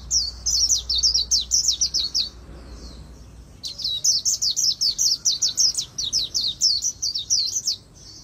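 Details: Very fast fighting-style warble of an Oriental white-eye with a magpie-robin-like voice, recorded for song training: two bursts of dense, high, thin twittering notes separated by a pause of just over a second, with steady faint low hum.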